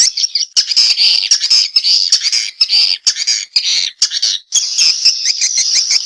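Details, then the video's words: Swiftlet response call, a nearly continuous high, harsh twitter with rapid pulsing and short breaks. "Suara Walet respon"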